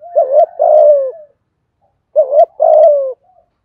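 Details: Spotted dove giving a full calling, urging and cooing sequence meant to stimulate other doves: two deep cooing phrases, each a short wavering coo followed by a longer falling one, separated by over a second of silence.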